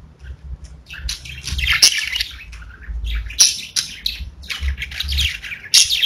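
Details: Pet budgerigars singing: busy, scratchy warble of fast chirps and squeaky notes, sharp clicks punctuating the chatter, with faint low rumbling underneath.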